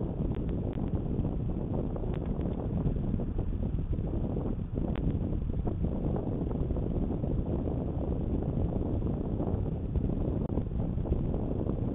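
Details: Steady low rumbling wind and engine-like noise with no animal calls.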